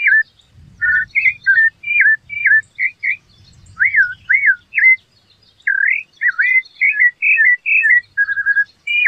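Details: Rufous-bellied thrush singing a long, varied sequence of melodious whistled phrases, some arched, some rising, delivered briskly with brief gaps and a short rattling trill near the end; faint low rumble at times.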